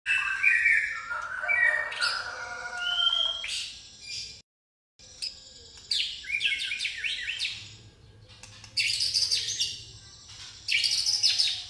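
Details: White-rumped shama of the pastol type, its song filled with fighting-sparrow phrases: varied whistled and chattering phrases, rising and falling slurs, then bursts of dense chirps, with a short silent break midway.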